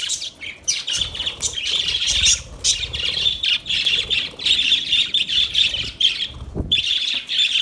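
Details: Budgerigars chirping in a near-continuous stream of harsh, scratchy squawks and chattering warbles, dense and busy, with a short gap near the end before the chatter resumes.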